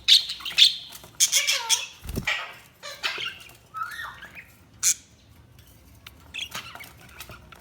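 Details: Budgerigars chirping: a busy run of short, scratchy warbles, squeaks and buzzy notes in quick irregular bursts, with brief pauses between, and a soft low thump partway through.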